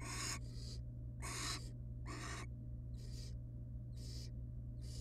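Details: Barn owls in a wild nest box, adults alongside chicks; harsh broadband hissing calls, short and loud, repeated roughly every second, later ones softer, over a constant low electrical drone.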